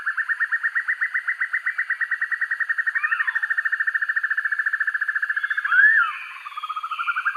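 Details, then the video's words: Black-and-yellow broadbill song used to train birds: a sustained run of fast buzzy pulses with a faint swooping note midway, a loud upslurred note near the end, then the trill restarts, rising. "Sempur-Hujan Rimba: Penampilannya Garang, Suaranya Sangar Untuk Masteran"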